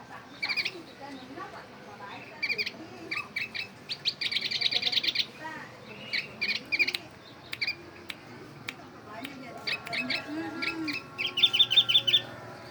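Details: Oriental white-eye copying a bulbul, giving long sequences of high, sharp chirps with a dense rapid trill early on and another fast buzzy trill near the end, loosely paced.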